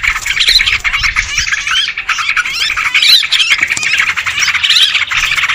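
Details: Noisy chorus of Sooty-headed bulbuls used to lure birds, steady overlapping chatter of scratchy squawks and bubbly twitters with frequent upward-sweeping notes.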